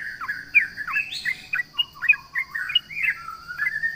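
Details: Trucukan, the sooty-headed bulbul, singing energetically at rivals: fluid warbled phrases of rising and falling whistled notes, some sliding downward, delivered loosely over four seconds against a steady high background whine.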